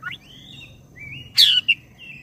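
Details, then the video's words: Oriental magpie-robin, black-breasted form, singing as bait to provoke other birds: a brief high note, long thin drawn-out whistles, then a loud sharply falling whistle and a short clipped note, with faint low background rumble. "ngeroll panjang! pancingan suara kacer gacor dada hitam istimeewa"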